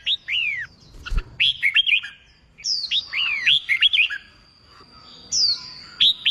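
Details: Red-whiskered bulbul song used to train a newly caught bird for singing contests: short, liquid whistled phrases that swoop down and up, delivered in bursts with brief pauses, plus a thin steady high whine.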